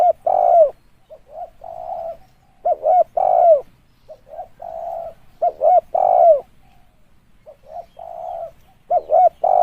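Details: Spotted dove calling, used as a lure: deep, hoarse cooing phrases with a short stutter of two or three notes leading into a longer drawn coo, repeated about every three seconds over a quiet background.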